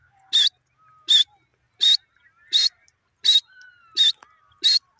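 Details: A pet francolin (teetar) gives loud, harsh, high-pitched notes, repeated steadily about every 0.7 seconds, with faint thin whistles between them.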